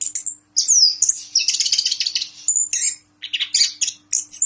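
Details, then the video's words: Caged orange-headed thrush, a champion of the President's Cup in Yogyakarta, delivering a continuous high, bright song of whistled slurs, buzzy trills and mimicked chips with a steady faint hum behind. "Anis Kembang Gacor Ngeplong ISTIMEWA"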